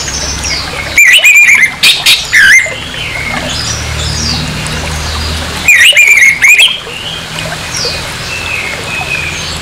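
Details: Provoking harsh song of an orange-headed thrush, used to anger another of its kind: two loud bursts of rapid, wavering, scratchy notes about five seconds apart, separated by soft background chirping and steady hiss.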